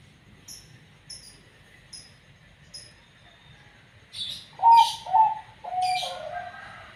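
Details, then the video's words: Banyu mili type zebra dove (perkutut) said to have a strange voice: faint high ticks repeat early on, then a broad burst leads into three soft, falling coo notes close together. "perkutut katuranggan banyu mili super bunyi aneh"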